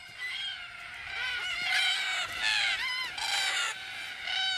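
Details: At sunset, a flock of mostly single red-tailed black cockatoos gathers boisterously at a watering hole on a tree-lined watercourse at the Australian desert edge. Several birds at once give harsh, rolling, metallic calls that overlap and rise and fall, about one call per second.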